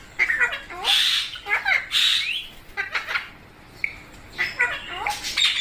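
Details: Indian pet baby parrots utter loud, grating squawks about once a second. Each is a rough, wavering burst, with short high chirps between them, indoors.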